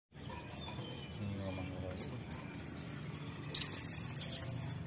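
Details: Brown-throated sunbird, a fighter bird, played to provoke birds into singing: scattered sharp high chips, then a fast, thin, high-pitched trill of about fourteen even pulses lasting over a second, over a low steady hum.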